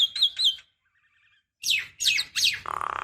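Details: Javan myna decoy calls for stirring other mynas into song: three sharp squeaky whistles, a silent gap, then three loud descending rasping notes ending in a nasal buzz.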